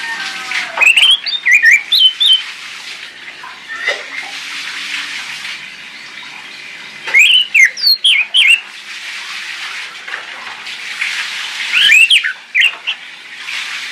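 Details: Orange-headed thrush lure song for coaxing mute birds into singing: three separate bursts of rapid, looping whistled notes spaced several seconds apart, with constant rushing, water-like noise between them.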